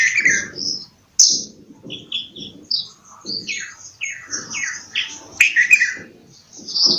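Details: Bulbul with a series of short, fluty, down-slurred notes in quick succession among high chirps, with low rustling sounds between phrases.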